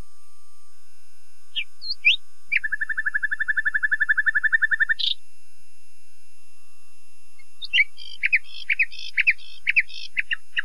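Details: Rising whistled notes from a common nightingale lead into a long, even chain of low rapid pulses ending on a sharp upstroke. After a pause comes a jerky series of varied chirps and twangs.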